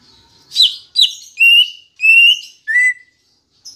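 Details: Green leafbird singing a lure song meant to get kept birds singing: two loud buzzy chirps, then long clear whistled notes, each steady or slightly rising, dropping lower on the last, about one note every half second.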